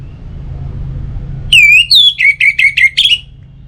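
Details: Orange-headed thrush singing, a recording meant to prompt other birds to sing in the morning and evening: a sustained whistle drops into a brisk series of repeated short notes ending on a higher one, low hum underneath.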